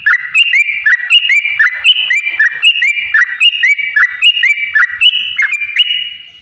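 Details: Sooty-headed bulbul song used to stimulate caged birds to sing: steady series of loud whistled phrases, a low dipping note followed by a higher level note, repeated about once every half second, ending on a long held whistle.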